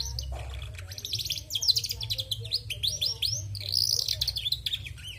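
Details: A dense, rapid run of high chirps and buzzy trills from a female canary, with rolling repeated notes and sweeping whistles, backed by a steady low hum.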